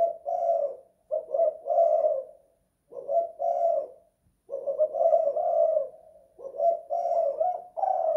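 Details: Spotted dove cooing inside a house in the two-kuk, one-guk manner, several rounded phrases broken by pauses of about a second, steady in pitch, nothing else audible.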